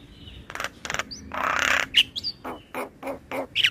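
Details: Singing male Javan myna, a training lure for learner birds: a long grating squawk flanked by dry clicking notes, short thin whistles and a rapid run of ticking calls toward the end.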